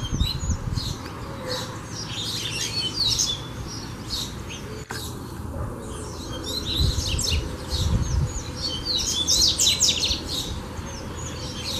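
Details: Coleiro song during fibra training: repeated rapid high chirps and sweeping whistles in uneven phrases, with a short gap near five seconds, a low thump around eight seconds and a persistent low hum.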